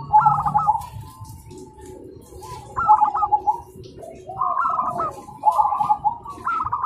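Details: Zebra doves singing in the morning and answering each other: four cooing phrases, each a burst of quick stuttering notes trailing into a long soft coo, over a low murmur.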